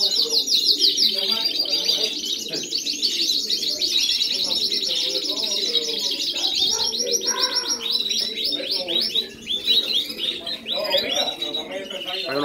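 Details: Several Spanish Timbrado canaries singing together, a dense chorus of rapid trilled and rolling phrases with fast repeated notes, bright and continuous throughout, with brief metallic chips layered over the steady singing.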